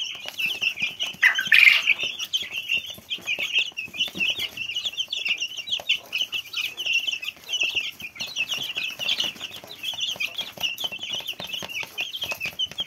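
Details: Many small chicks cheeping together, a dense chorus of high, rapid overlapping peeps that runs continuously, with one louder, harsher burst near the second mark and faint rustling underneath.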